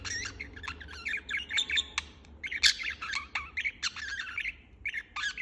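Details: Budgerigar keeps up a busy chatter of high, quick chirps and warbles, with scattered clicks and one brief drop in activity.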